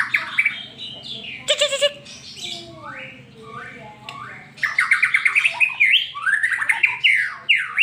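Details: White-rumped shama in fast 'super speed' song, used as a lure to make a pet shama sing: whistled slurs and sharp broadband notes, a quieter lull, then a rapid fluttering run of bright notes; steady low hum beneath.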